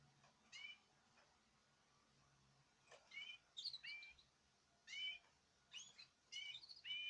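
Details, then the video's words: Caged birds kept on natural, varied food sing together: scattered short whistled upslurs and chirps, spaced a second or more apart over a quiet low hum. "تغريد جماعي للطيور"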